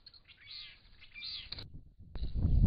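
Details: Gregarious Purple-crowned lorikeets, adults with newly fledged young learning to fly, visiting a pond; harsh wavering screeches with layered overtones for about a second and a half, a short gap, then loud low rumbling noise.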